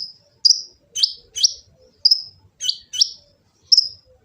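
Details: Sunbird (kolibri ninja), Gresik, East Java, recorded with an Android phone to train kept birds: a string of bright, high chips with short downward slurs, several in quick pairs, faint low noise behind.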